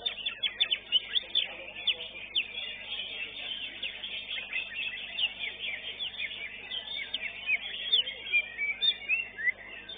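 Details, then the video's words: Competition greater green leafbird, a class champion, delivering a long, busy stream of high twittering notes, quick slurred whistles and chirps in bursts, with overlapping birdsong from the contest arena. "JUARA 1 CUCAK IJO"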